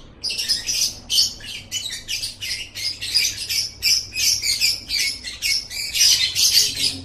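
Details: ;Lovebird chattering, the 'ngekek' style played to make lovebirds chatter: dense bursts of harsh, high, rapid chirps repeated about three times a second, merging into a continuous scratchy chatter throughout.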